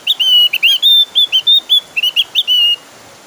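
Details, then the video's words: Insistent, clear song of a Javan grey-throated white-eye, used as a lure for other birds: about a dozen high, pure whistled notes in rapid succession, alternating level tones with short upslurs, over faint background hiss. "PANCINGAN OPIOR JAWA GACOR SUARA NGOTOT"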